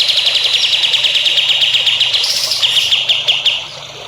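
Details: Songbird song used to train young birds: a rapid, steady trill of high ticking notes, a short break with a rising buzzy note, then the trill resumes and fades out.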